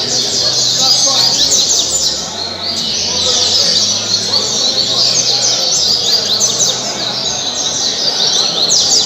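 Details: Caribe song of a coleiro kept at Mambucaba park, Angra dos Reis, Brazil; bright descending whistles and rapid chattering notes tumble in continuous high phrases, a soft drop near the second mark.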